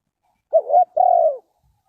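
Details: Spotted dove calling: a short two-part cooing phrase, a brief rising-falling coo followed by a longer, steady, slightly wavering low coo, with quiet surroundings.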